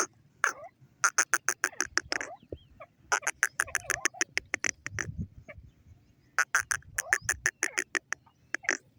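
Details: Grey francolin calling: harsh, loud notes in rapid rhythmic series, three bursts of repeated strident pulses separated by short pauses, with softer scratchy notes between.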